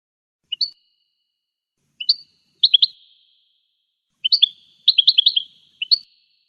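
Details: Wild American goldfinch giving scattered bursts of high twittering notes, single chirps and tight clusters separated by pauses of about a second, in an otherwise silent recording.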